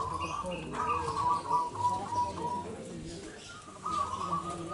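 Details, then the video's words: Lively local zebra dove singing, meant to stir other doves, delivers a fast stuttering run of short cooing notes at a steady middle pitch, pausing, then starting another run, with murmuring low background noise. "PERKUTUT GACOR LOKAL SUARA UNTUK PANCINGAN"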